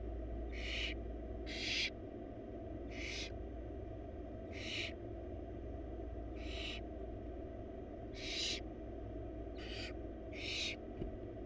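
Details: Wild barn owl chicks, four siblings in a nest box, begging while their mother feeds them a large rabbit: harsh broadband hissing snores, about eight bursts over eleven seconds at uneven intervals, over a steady low hum.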